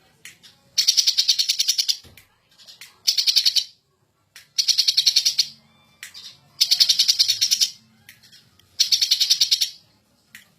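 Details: Caged greater green leafbird singing in agitated, champion-style ngentrok fashion: harsh, buzzy, rapidly pulsed bursts lasting about a second, repeated with short gaps, each burst a dense rattling trill.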